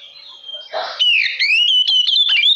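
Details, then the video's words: Oriental magpie-robin singing loudly to provoke rival magpie-robins: a sustained high whistle, a brief scratchy note, then rising and falling clear whistles and quick twittering flourishes. "Kacer Lain Pasti Langsung Konslet Mendengar Suara Pancingan Kacer Gacor Ini"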